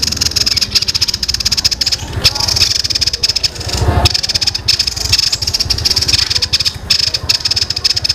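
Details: Young bird with full, long, tight rolling song resembling fighting sparrows: steady rapid high rattle running almost without pause, low rumble underneath.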